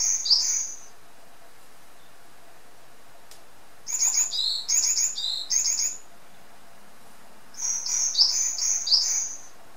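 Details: A pet varied tit (Sittiparus varius) sings three bursts of high, thin, repeated notes, each phrase one to two seconds long with short pauses between, in otherwise quiet surroundings.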